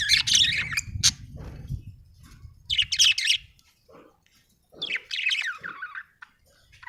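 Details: Chirping budgie, an Australian bird: high, scratchy warbled chirps in three busy bursts a couple of seconds apart, with lower clicks between and a low rumble underneath early on.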